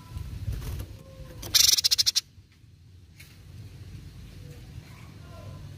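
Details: Cucak cungkok singing in a recording made for training birds: one short, loud burst of rapid, evenly spaced high notes lasting under a second, set against low background rumble and quiet.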